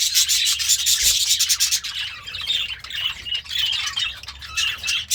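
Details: Happy pet budgerigar eating greens, giving a dense, scratchy warbling chatter of rapid high chirps and squeaks that runs almost without pause, with brief louder bursts.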